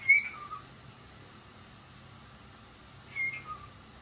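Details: A pet parakeet gives two short, clear whistled calls about three seconds apart, each dropping quickly from a high note to a lower one, in a quiet room.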